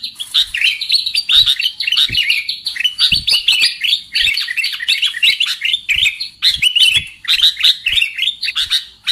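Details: Sooty-headed bulbul call used as a lure for trapping birds: busy, overlapping chatter of sweet chirps and warbles, steady throughout, with faint clicks in the background.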